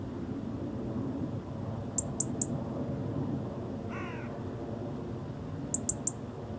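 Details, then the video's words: European robin chirping: two bursts of three sharp, high ticks about two seconds apart in each burst, with one brief nasal call in between, over a steady low rumble. "cute robin chirping süßes Rotkehlchen zwitschert"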